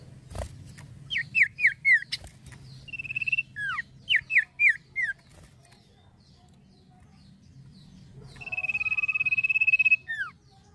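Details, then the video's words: Lively male common iora: two groups of four quick descending whistles separated by a buzzy note, then a long, even trilled note lasting about two seconds. "CIPOH JANTAN GACORNYA KEREN"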